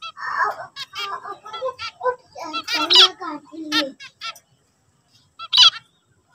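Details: Zebra finch song made of rapid nasal, trumpet-like beeps and buzzy chatter for about four seconds, a short silence, then one loud harsh note near the end.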